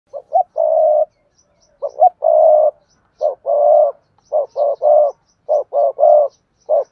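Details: Spotted dove singing the Cườm Sa song style, a handsome bird with a fine voice: about four phrases of short clipped notes, each leading into a long, deep, throaty coo, delivered in quick succession.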